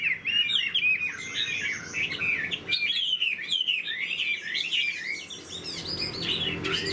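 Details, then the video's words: Tame caged Chinese hwamei singing: a loud, continuous run of varied rich whistles and slurred phrases, rising and falling quickly, with sharp high notes mixed in and no pauses across the stretch. "Chim thuần sách lồng hót"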